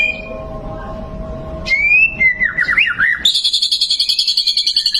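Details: A competition-winning white-rumped shama gives a faint whistle, then a loud rising note and a wavering slurred phrase. These are followed by a fast burst of high, evenly repeated notes, about four per second.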